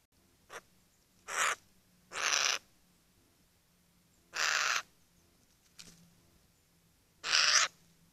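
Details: Eurasian jay in the Eifel, Germany, giving harsh, rasping screeches, four loud ones spaced irregularly over eight seconds with two shorter, fainter bursts between; a faint low hum underneath.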